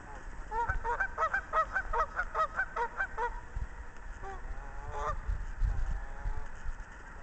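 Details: Courting Canada geese on a pond at Al Sabo Land Preserve near Kalamazoo, Michigan, March 5, 2010, give a quick run of about a dozen nasal, two-toned honks over three seconds, then scattered honks, with low wind rumble.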